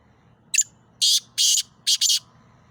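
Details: Loud Sindhi black francolin calling: a brief clipped opening note, a pause, two broad scratchy buzzes, then a closing pair of linked rasping notes, with quiet low background hum.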